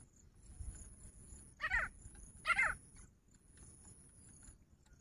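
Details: Grey francolin, or jungle teetar, recorded 2 August 2023, giving two loud, rasping calls less than a second apart and a fainter third one after them. Continuous high-pitched insect buzzing and low background rumble fill the gaps.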